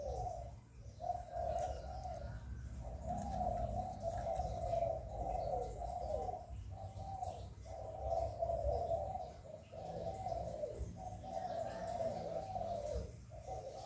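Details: Spotted dove cooing in the 'hạp bổi' style, meant to stimulate newly caught doves. Muffled low coos repeat in roughly one-second phrases with short breaks, over a steady low rumble and faint hiss.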